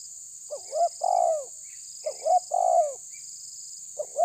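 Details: Spotted dove pressing a rival, tabir style: paired phrases of a short rising note then a broad falling coo, repeating roughly every one and a half seconds over a thin high insect-like hum.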